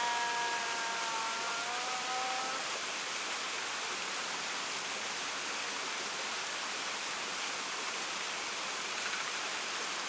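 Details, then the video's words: An Australian raven (Corvus coronoides) at a pool in a national park in New South Wales on 18 July gives a drawn-out, nasal wail that sags at the end, over steady rushing noise like wind or water. "Australian Raven"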